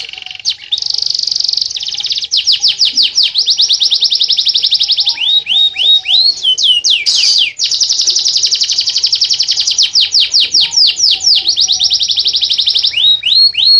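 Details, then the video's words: Canary singing in the nunduk style, a lowered, bowing singing posture: long sustained rapid trills alternate with series of sharp downward-sweeping whistled notes, loud and nearly continuous throughout. "kenari gacor gaya nunduk"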